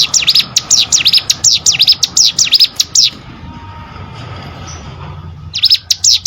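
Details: Three seconds of rapid, high V-shaped chirps from a plain prinia (ciblek sawah), a pause filled with low rumbling noise, then the fast chirping resumes.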